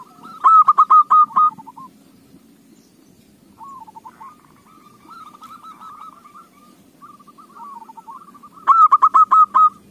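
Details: Zebra dove song played as a lure to prompt other doves to sing: rolling, trilled cooing phrases, with loud rapid pulsed bursts near the start and end and quieter wavering coos between.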